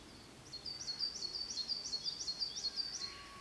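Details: A Japanese robin sings in early summer in newly budding larch forest on the Daibosatsu range, Kōshū, Japan: a high, ringing run of about eight quick, even notes in under three seconds, with a faint distant tone at the end.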